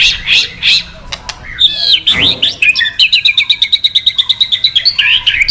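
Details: White-rumped shama kretekan sound, used to rouse male shamas into singing: a few sharp high chirps, a brief noisy burst, then a fast run of evenly repeated bright notes ending in whistled flourishes.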